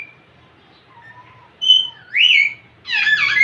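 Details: Indian ringneck parakeet, a young male displaying to a female, gives a faint low whistle, then a clear high whistle sliding into a louder rising, looping whistle, ending in a buzzy, harsh chatter.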